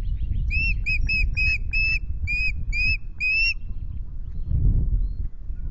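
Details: Osprey at the Loch Garten nest, 10 May, first changeover with two eggs still being incubated: about eight evenly spaced whistled notes over three seconds, then quiet apart from a low rumble.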